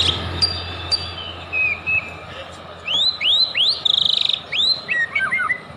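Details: White-rumped shama song used as a lure to provoke singing: clear rising whistled slurs and upswept notes, a brief buzzy trill and tumbling descending phrases, with soft background hum and faint voices.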